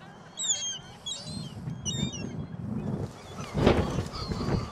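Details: Gulls at a shopping mall on a very windy Christmas Day 2014 give a few harsh, nasal calls with short squealing notes, then wind buffeting and a loud thump cover the rest.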